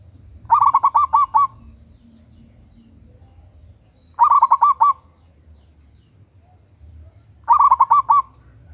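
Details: Female zebra dove of local stock calling for a male, used as a lure: three evenly spaced bursts of fast, stuttering coos, about three seconds apart, against a quiet low hum.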